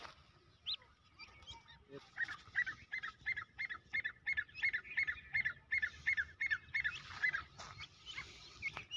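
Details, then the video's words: Grey francolin chicks calling: a steady run of short, clear, high peeping notes, about three a second for several seconds, with softer notes and rustling in the background. "Teetar K Bachon ki Awaz"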